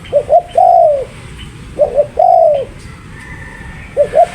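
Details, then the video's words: Spotted dove, called tekukur, repeating a clear three-part coo, two quick short notes then a long downslurred coo, about every one and a half seconds, with a faint higher whistle behind. "Burung Tekukur Paling Cantik"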